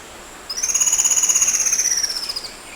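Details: White-rumped shama (kacer) in the wild, a natural recording used to train caged birds of the 'tembak' style: one long, high, steady whistled note lasting about two seconds, finely trilled throughout and fading slightly at the end.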